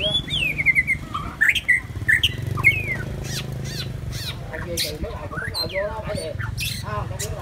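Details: ['White-rumped shama delivering rich, varied song with quick slurred whistles, sharp clicks and harsh notes, later mixed with softer lower phrases against a low hum.']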